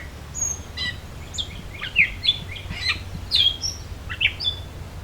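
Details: Gray Catbird singing in the Beverly Swamp, Flamborough, Ontario, Canada, on a summer solstice hike in 2024: a jumble of short squeaky, chirping and slurred notes, varied in pitch, given in quick irregular bursts over a low steady rumble.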